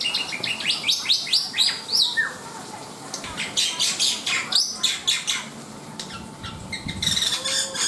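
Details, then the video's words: Black-winged myna singing vigorously: a rapid series of sharp high chirps and whistled downslurs, then clustered buzzy harsh notes and bursts, with a steady faint tone throughout. "SUARA ASLI BURUNG JALAK PUTIH NUSA GACOR DOR!"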